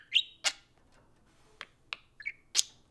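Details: Couple of pet budgies socializing at home: loud harsh squawked chirps, short sharp clicks and a pair of quick whistled warble notes, sounds spaced irregularly over a few seconds.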